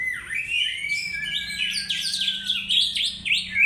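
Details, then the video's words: Oriental magpie-robin lure song (pancingan): a long sustained whistle leading into rapid, repeated downslurred and upslurred notes, bright and energetic, building in loudness toward the end. "pancingan Kacer"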